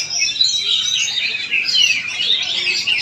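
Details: Oriental magpie-robin (kacer), Palangkaraya, Central Kalimantan: brief burst of loud, clear whistles and swooping, descending slurs woven with quick twittering notes.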